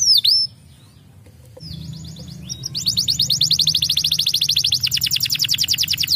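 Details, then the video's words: Stimulating canary song: two sharp downswept notes, a quiet gap, a few short chips, then a loud dense trill of rapidly repeated bright notes running steadily on. "хутка стымулюе гук канарэйкі"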